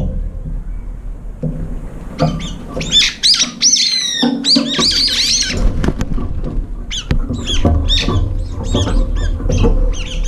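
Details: Brown-eared bulbuls gathered late at an almost empty food bowl squabble and fly up while feeding; dense shrill, screechy squeals dominate the first half, then quicker sharp chirps continue over low background noise.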